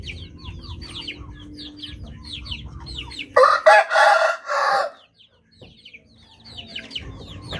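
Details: Rooster of the Bangkok chicken breed: busy chirping of small birds and low background hum, broken by a loud, raspy crow in three strained pulses lasting about a second and a half, followed by brief quiet.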